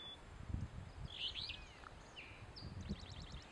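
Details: Alder Flycatcher singing from a dead Fraser Fir at Carver's Gap on the NC–TN line, 4 July 2011: a buzzy, burry phrase with a slurred drop, then a short note; another bird adds a rapid trill, over low wind rumble.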